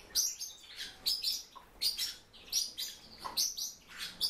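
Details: Silver-eared mesia kept at home, uttering sharp, high chirps in small clusters, roughly one burst every second, over faint background hiss.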